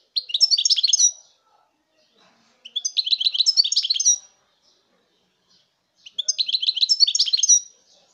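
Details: European goldfinch, 2019: three similar phrases of bright, fast twittering and tinkling notes, each over a second long, repeated about every three seconds with clean silence between.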